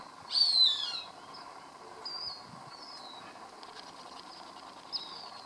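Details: A Cooper's hawk feeding on a rat it caught gives one sharp, high, descending squeal at the start, followed by faint thin whistled notes against a constant background hum.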